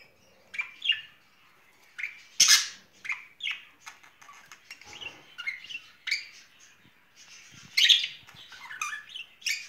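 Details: Budgerigar pair courting in spring: bursts of scratchy chirps and squeaky warbling notes, with a few loud sharp calls standing out among quieter chatter.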